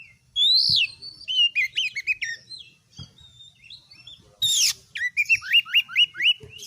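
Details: A kept oriental magpie-robin in strong song: a loud rising-falling whistle, a chattering varied phrase, then a harsh burst and a string of six quick upslurred whistles, with faint low thumps.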